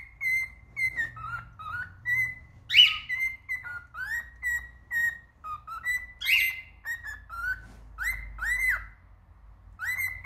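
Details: Male cockatiel singing: a run of clear whistled notes, mostly flat or gently falling tones, with two louder rising, warbled phrases near the middle and a pair of upswept whistles toward the end; faint low hum underneath.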